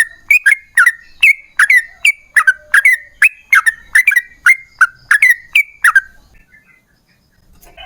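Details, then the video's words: Lure song of a yellow-vented bulbul, lively and long-running, played to provoke other bulbuls: a steady string of about fifteen bubbly, falling chirps at roughly half-second intervals for six seconds, then near silence. "TRUCUKAN GACOR Ropel Panjang Buat PANCINGAN TRUCUKAN Agar Bunyi"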